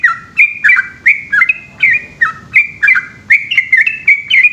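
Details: Yellow-vented bulbul, known locally as trucukan, in full long ropel song at night: bubbly, slurred liquid notes rising and dropping, delivered in a steady rapid chain with no gaps, low background rumble.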